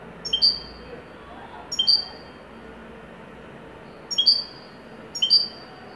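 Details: Moroccan goldfinch, Wydani type, in a joyful performance; crisp high two-part chirps, upper note over lower, given singly at irregular gaps of one to two seconds over quiet background hum.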